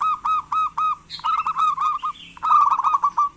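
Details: Local zebra dove singing actively, used as a lure to prompt lazy doves to call: four short pulsed coos, then two longer rapid trilled cooing phrases, all low and mellow.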